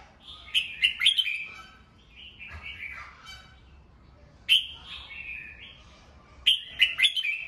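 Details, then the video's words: Caged red-whiskered bulbul singing in the morning, meant to coach and stimulate young birds; bursts of sharp chirps and rolling whistled warbles recur every few seconds, with quieter slurred notes between. "Chào mào hót sáng, luyện giọng chào mào"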